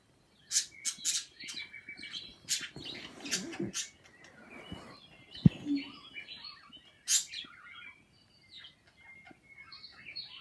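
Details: Pet birds chirping and kissing together with other birds near an Echo Dot; sharp high chirps come in clusters, mixed with thin whistled notes, a brief low knock and soft flapping-like rustle.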